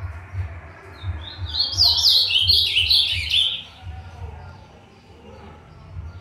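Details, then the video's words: Young brown-plumaged Azulão beginning to open its song, delivering one rapid, jumbled warbling phrase of bright chirps lasting about two seconds over steady low rumbling background noise. "AZULÃO PARDO COMEÇANDO A ABRIR CANTO"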